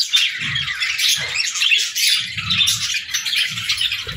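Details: Several pet budgerigars in an evening play session, continuous busy warbling chatter and rapid chirps layered together, with occasional louder squawks and soft low thumps of movement.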